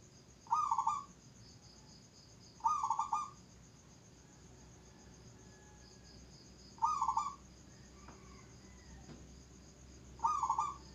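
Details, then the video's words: Zebra dove, labelled nduduk, repeating its stuttering coo four times at irregular intervals of two to four seconds. Each phrase is a short burst of quick notes ending in a held coo, with faint thin whistles and steady hiss between. "suara burung perkutut nduduk"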